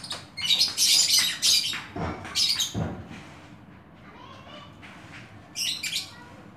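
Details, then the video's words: Oriental magpie-robin singing lively bursts of harsh, scratchy high notes mixed with whistled phrases, several loud bursts in quick succession, with some low rumbling background noise. "Burung Kacer#Lincah"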